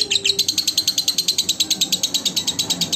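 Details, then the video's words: Lovebird song meant as a training recording for other lovebirds: a fast, regular stream of sharp, shrill chirps, about three per second, with a faint low voice at the start. "SUARA BURUNG LOVE BIRD COCOK UNTUK MASTERAN SEMUA BURUNG LOVE BIRD"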